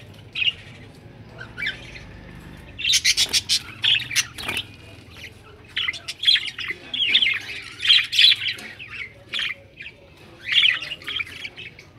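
Budgerigars chatter with rapid, scratchy squawks and warbling chirps in bursts.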